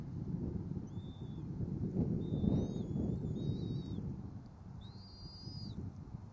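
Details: Bald eagles at the Berry College nest, recorded through a live nest camera, with two eaglets and a parent delivering food and a stick. A run of thin, high, squeaky whistled notes comes in several short bursts, some quavering, over steady low background noise.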